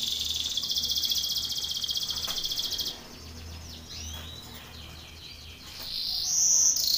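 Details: Belgian canary song meant for contest training: a rapid high rolling trill for several seconds, then softer down-slurred whistled notes and a brief piercing high tone near the end.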